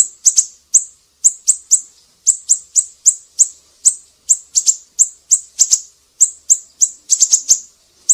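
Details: Sharp high-pitched chips from a siri-siri, used as tutor song for cage birds, delivered steadily two or three per second, some paired, with a fast cluster of notes near the end; background otherwise quiet.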